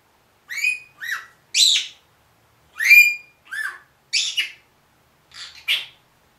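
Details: One-year-old pet Senegal parrot talking, said to say a greeting like good morning and a phrase about coming back: eight short, harmonic, speech-like syllables in quick bursts with brief gaps, bright and high-pitched, in a quiet indoor setting.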